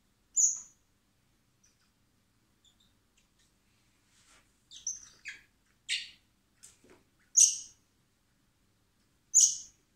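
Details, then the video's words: Hand-fed common blackbird (Turdus merula) nestlings at a wildlife rescue centre in spring, awaiting release; sharp high squeaky begging notes spaced irregularly, some thin whistles, others raspy, roughly one every two seconds. "Cebando a los polluelos de mirlo común (Turdus merula)"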